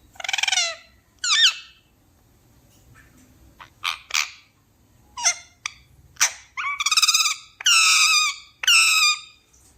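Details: Pet talking parrot producing a series of squawky, harmonic-rich calls and short sharp notes, several longer drawn-out rasping calls toward the end, with brief silences between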